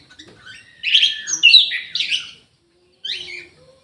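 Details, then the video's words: Caged orange-headed thrush in an aviary giving a loud, rich warbled phrase of mixed whistles and twitters, then silence and a shorter closing burst. "ANIS MERAH GACOR"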